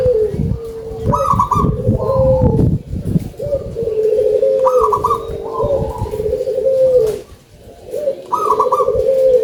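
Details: Local zebra dove with a strong voice repeating its song about every three and a half seconds: a stuttered high rolling coo answered by sliding, drawn-out lower trills, other doves calling underneath.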